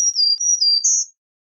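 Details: Black-throated green warbler song: a short phrase of thin, high, clear notes alternating between two pitches and ending on a higher, slightly buzzy note, lasting about one second.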